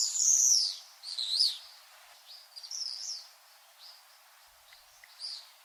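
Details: Common swifts giving thin, shrill, high screams: a loud drawn-out scream first, then fainter ones spaced a second or so apart, as if passing at varying distances.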